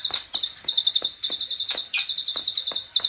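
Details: Klik-klik bird, a training recording, calling in energetic bursts: bright, high chirping notes strung into fast rattling runs, with short gaps and light background ticks.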